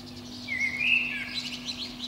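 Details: A Eurasian blackbird in a pine treetop under a window sings in spring between about five and seven in the morning. One short, rising-and-falling fluted phrase ends in a softer, higher twitter, with a low hum.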